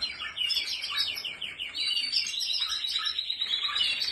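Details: Canary of Spanish Timbrado breed giving rapid repeated trilled notes in a steady rolling stream, slightly descending in pitch early on, then a smoother, sustained trill.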